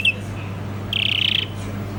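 European greenfinch: a short high chirp, then a quick, even trill of about a dozen notes lasting half a second, over a low steady hum.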